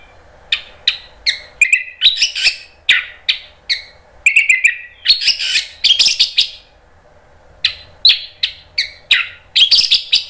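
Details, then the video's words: Orange-headed thrush pouring out a lively ngeplong song meant to coax other birds into replying. Rapid run of high chirps and slurred whistles with a brief pause midway, then more quick notes. "PANCINGAN ANIS MERAH biar ikut NYAUT jadi BUNYI GACOR NGEPLONG"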